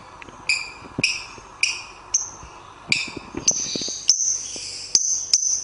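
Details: Lovebird sound for training songbirds in the morning or evening. Sharp, shrill, squeaky chirps come singly about every half second, growing into longer harsh notes toward the end, over a faint low hum.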